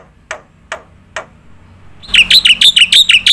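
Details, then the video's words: Three soft isolated clicks, then from the two-second mark a black-winged myna breaks into fast, loud chirping notes. The song is a "nembak" style with filler phrases, played as a tutor recording for contest birds. "jalak putih gacor full nembak isian untuk masteran burung lomba"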